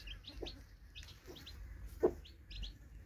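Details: Newly hatched chicks beside a broody hen: scattered pairs of high, sliding peeps, a few soft low clucks, and one louder short knock near the middle.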